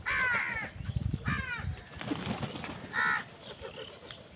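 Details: Harsh, descending caws from crows squabbling over food, two close together then a third after a pause, over low rumbling background noise.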